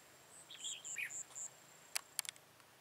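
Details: Red-whiskered bulbul used as a decoy for trapping, recorded 13 October 2018: a short run of warbled, slurred notes rising and falling, followed by a few sharp clicks, with a steady thin high tone and high piping beeps.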